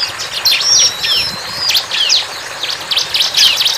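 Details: Rapid, high-pitched bar-winged prinia song made of sharp falling chips and quick slurred notes, with one long thin level whistle early on, delivered in uneven bursts throughout.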